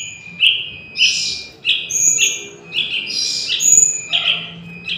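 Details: Young Yellow-vented Bulbul calling, played as a lure for trapping wild birds: buzzy chirps near two to four kilothousand pitch, repeated about once a second with harsher higher bursts, over a faint steady whine.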